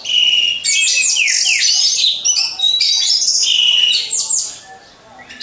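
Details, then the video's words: Row of caged orange-headed thrushes used as a lure for competition training: nearly unbroken, loud, high-pitched warbling full of quick chirps, downward slurs and trills, fading near the end. "Pancingan Burung Anis Merah"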